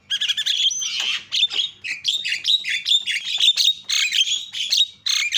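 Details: Javan myna calls used as a lure to provoke other mynas into calling: loud harsh squawks and chattering notes in dense bursts, with short whistled inflections, almost continuous over five seconds.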